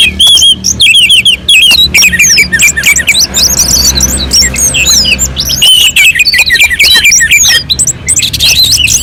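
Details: Orange-headed thrush song on a mountain slope, used as a lure to provoke other birds into singing: loud, varied whistled and chattering phrases with rapid up-and-down notes, dense and almost continuous, with a low hum beneath.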